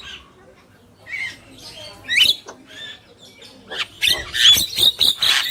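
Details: Black-winged myna, male and female; soft warbled notes building into a dense burst of harsh squawks and sharp whistles, fast and irregular, low hum in the background.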